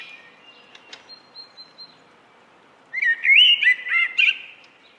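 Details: Common blackbird song: a faint thin high note and soft ticks first, then a loud mellow warbled phrase with varied fluting notes ending in brief squeaky flourishes.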